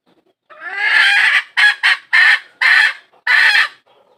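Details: A hen seeking a rooster gives one long, rasping call, then five short, hoarse bursts in an uneven series, each clipped off sharply.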